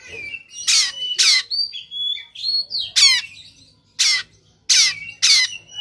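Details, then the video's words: Agitated Oriental magpie-robin, Sumatran type, spreading its tail in a fighting mood, delivering coarse 'shot' notes: harsh rasping blasts roughly every half second, interspersed with steady whistled tones and short rising slurs. "KACER NGOTOT TARUNG BUKA EKOR SUARA TEMBAKAN KASAR"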